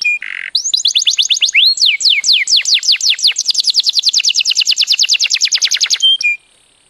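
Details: Bird song, close and clean: a brief buzzy note, then a long fast sequence of sharply down-swept whistled notes, speeding into an even rapid trill of about seven notes per second before stopping with a short whistle.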